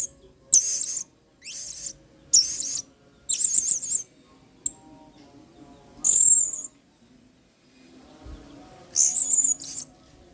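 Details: Excited blue-crowned hanging parrot giving a model song used to train other songbirds, singa style: sharp, very high shrill bursts and trills, each about half a second, spaced irregularly across quiet gaps, one longer piercing note near the middle.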